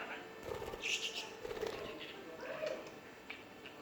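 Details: A playful, hand-tame pet budgerigar chatters indoors in quick, scratchy chirps and warbles, with a faint room echo.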